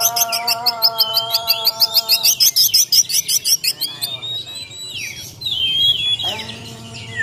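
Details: Borneo white-rumped shama fighting song. A long series of sharp high notes repeats about three times a second, then turns into long, pure, sweeping whistles, with a low steady hum at the start and end.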